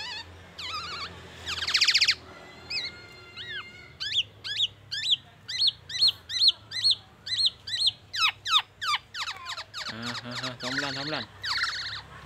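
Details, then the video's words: Black-naped oriole song full of imitated oriental magpie-robin and ambulance siren sounds: harsh buzzy bursts, then long runs of sharp, ringing upslurred whistles about twice a second, closing with rattling churrs. "KEPODANG EMAS TELER BONGKAR ISIAN MURAI BATU DAN SIRENE AMBULANCE"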